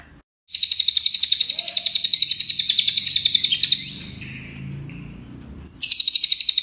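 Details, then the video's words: Brown cililin in full, lively song for teaching captive songbirds: a rapid, high, buzzy trill of quickly pulsed notes for about three seconds, a gap filled with soft low background rumble, then the trill starting again. "masteran cililin coklat gacor"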